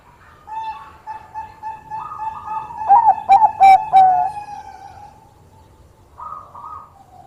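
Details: Singing Bangkok zebra dove, said to lure opponents by its call; a sustained soft tone leads into a brief run of rolling, warbled coos, fading to quieter notes.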